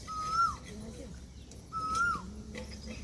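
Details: Indian peafowl, a peahen, giving two clear whistled calls about a second and a half apart. Each holds a steady mid pitch, then hooks sharply downward at the end. Faint background hiss throughout.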